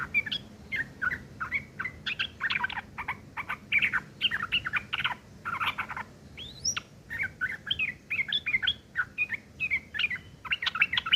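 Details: Continuous rough chattering, ngeriwik kasar, from a sooty-headed bulbul, used to tutor long-tailed shrikes: steady bursts of scratchy notes mixed with bright whistled slurs and one high upward sweep, with hardly a break.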